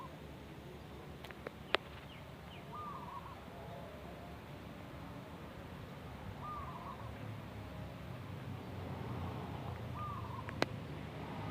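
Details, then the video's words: Local zebra dove of natural origin with a 'bedah karang' voice, giving three short, soft, stuttering coo phrases at one steady pitch, about every four seconds, over constant low rumbling background noise with a few sharp clicks. "SUARA ASLI PERKUTUT LOKAL ALAM BEDAH KARANG"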